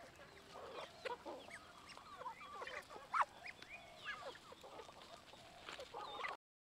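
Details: Flock of chickens at feeding time, giving dense overlapping clucks and brief rising squeaks at uneven intervals, one sharp louder cluck near the middle, before the sound cuts off abruptly.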